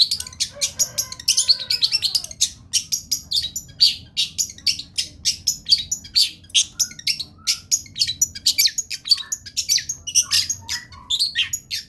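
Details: Long-tailed shrike singing energetically: a dense, continuous stream of sharp high chirps and buzzy mimicking phrases in quick succession, with a few lower sliding notes early on, over a faint low hum.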